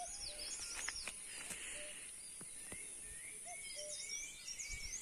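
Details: Bird chirps: quick repeated arched notes, some paired and dipping, over a steady high-pitched hiss with a few soft knocks.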